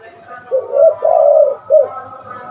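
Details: Spotted dove, a prolific caller kept for luring birds, giving a clear three-part coo: a short note, a long hoarse rolling note, then a clipped last note, in a quiet setting.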